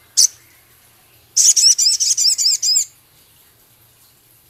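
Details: Male Javan cochoa giving training song filled with scarlet minivet, 'ketikan' and rough 'crecet' passages. A lone high chip, then a fast, even run of about eight shrill, high, chirping notes lasting roughly 1.5 seconds, then quiet. A faint low hum runs throughout.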